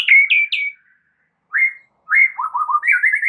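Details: White-rumped shama lure song for drawing out a shama's full repertoire: three quick falling whistles, a pause, an upslurred note, then a run of lower warbled notes ending in higher whistles.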